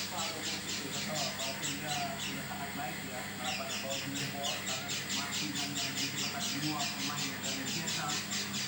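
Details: Unusual voice of an oriental white-eye: rasping high buzzy notes in a repeated series, pausing briefly early on then resuming about twice a second, with low background hum.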